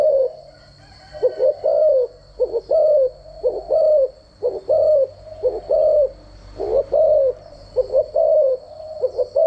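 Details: Spotted dove decoy call for daily dove voice training; dense run of low cooing phrases, paired coos and short falling croos following one another nearly without pause, with a steady high whine underneath.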